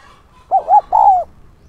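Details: Spotted dove kept as a decoy for attracting wild doves, giving a single 'son'-style coo phrase: two quick hollow notes, then a drawn-out gently descending coo, with quiet surroundings.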